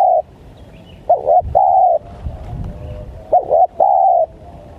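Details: Wild spotted dove lure call, 'menekan' style: a trailing long coo, then two full phrases of two quick arched notes followed by a drawn-out level coo, about two seconds apart, over faint low noise.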